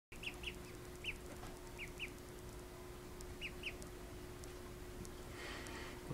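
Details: Call duck ducklings just awake from a nap, giving short high peeps in pairs, scattered through the recording, over a steady low electrical hum and faint background noise.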